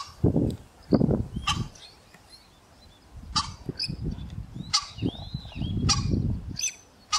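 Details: A female common pheasant replies to a male's calls: low, harsh clucking bursts in irregular groups, with sharp clicks and a few thin higher chirps from smaller birds between them.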